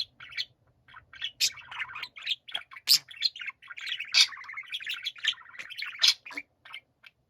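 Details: Several pet budgerigars singing together: a busy, continuous warble of twittering chirps, squeaky whistles and chattering notes rising and falling with no set rhythm.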